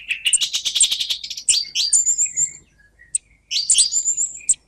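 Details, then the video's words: Song thrush song: a rapid chattering stream of scratchy notes, then thin high whistles sliding downward, a pause, and another scratchy burst with high whistles. "دمج صوت السمنة المغردة 13 مع سك صوت سمنة مغردة 14"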